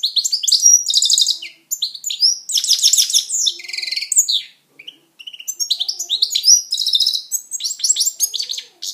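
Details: Caged pet European goldfinch in song: a fast tumbling stream of high twittering, liquid trills and buzzy notes in bursts, with short pauses between phrases.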